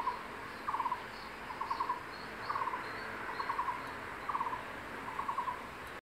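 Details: Male crested goshawk (Accipiter trivirgatus) at a nest in secondary forest during breeding season, calling his mate to eat a lizard he caught: bursts of four or five quick mid-pitched notes about every second over insect hiss.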